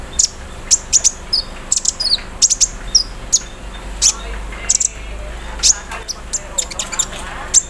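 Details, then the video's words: A caged olive-backed sunbird sings in the morning dew, mimicking an embroidery machine. Scattered, very high sharp chips and brief thin slurred whistles repeat irregularly over several seconds. "KONIN KELUAR ISIAN MESIN BORDIR, CERRR SAAT DI EMBUNKAN PAGI HARI"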